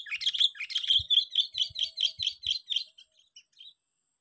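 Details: Sooty-headed bulbul used in lure trapping, on the sixth day of contests: a quick string of bright chirpy notes, about four a second, slowing and fading into a few soft isolated notes at the end.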